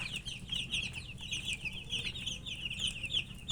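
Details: Several chicken chicks peep continuously as they eat, high-pitched cheeping notes packed into an unbroken, fluttering chorus over a faint low-frequency hum.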